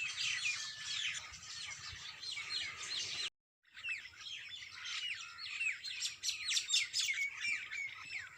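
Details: Early morning bird song: many birds give clear whistled notes, sliding chirps and twitters. The chorus drops out briefly, then resumes livelier, with bright repeated whistles.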